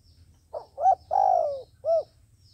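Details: Cooing decoy dove from a trapper: a faint opening note, a fuller coo, a long coo gliding downward, and a brief rounded final coo, with a soft low rumble behind.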